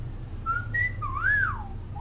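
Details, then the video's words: Chattering common hill myna, a tutor bird for young mynas: a flat whistle, a higher flat whistle, then an arching whistle that rises and falls. "BURUNG BEO GACOR CEREWET"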